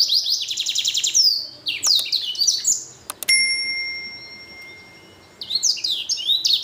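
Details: Hybrid finch bred from black-throat and canary singing eagerly: fast rattling trills and sweeping whistled phrases, interrupted by a sharp clear ringing tone like a bell, then the lively trilling song resumes.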